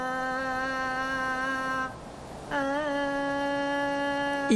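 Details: A steady, rich humming tone with strong overtones, broken by a short gap before resuming with a slight wobble, in a small room, with no animal sound.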